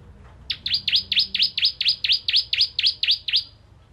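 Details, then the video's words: Bar-winged prinia song: about thirteen loud, evenly spaced notes over three seconds, each a sharp high sweep dropping steeply and climbing back up, giving a rapid ringing series. Quiet background otherwise. "Beautiful Song Of Bar Winged Prinia Bird"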